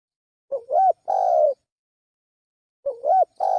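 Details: Spotted dove lure call: a three-part coo phrase, a short note, a rising-falling note, then a long slightly falling coo, all low and hollow, repeated after a two-second pause; clean background.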